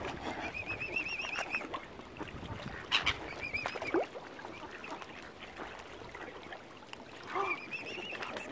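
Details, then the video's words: Mother swan, angry and hungry as algae has wiped out normal food at Lough Neagh, Oxford Island, Northern Ireland; a few thin, trilling wavering notes sound between bursts of splashing and background noise. "ANGRY MOTHER SWAN. HUNGRY AS ALGAE HAS KILLED NORMAL FOOD SUPPLIES."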